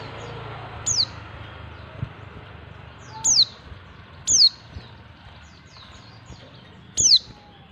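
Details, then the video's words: Female white-eye calling to attract males, uttering four crisp high-pitched downslurred notes at uneven spacing over soft background hiss. "panggilan pleci betina. pleci jantan auto nyawut"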